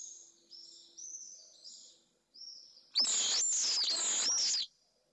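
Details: Two pallid swifts meet at nest 2 in Jerez de la Frontera, Spain, filmed from above by a remote camera; softer high screams at first, then a loud, harsh screeching duet lasting under two seconds.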